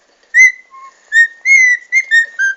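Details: Cockatiel (Nymphicus hollandicus) whistling a learned Muppets tune in clear, pure notes, some sliding and some held steady.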